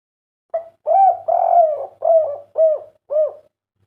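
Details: Spotted dove kept as a cage bird, kuk 3 type, delivering a clear phrase: a short intro note, two long low coos, then three shorter hooked coos at an even pace.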